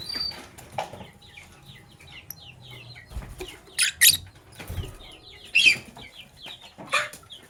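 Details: Morning chirping from Sky Blue Opaline and Cobalt lovebirds: many quick, high twittering notes run continuously, broken by several sharp, harsh bursts, over a faint low hum.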